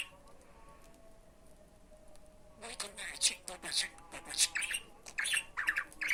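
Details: Talking budgerigar: a near-quiet start with a faint steady tone, then a quick run of scratchy, high-pitched imitated words and chirps from about the third second onward.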